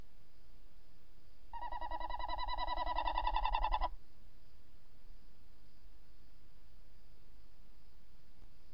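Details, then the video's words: Tawny owl calling at the nest hole on camera, the male answering from outside, 05:43 on 28 December 2018; a rich, purring trill of quick pulses, about three and a half per second, swelling over two seconds then stopping. "Bosuil, V roept in vlieggat/op de cam, M roept buiten"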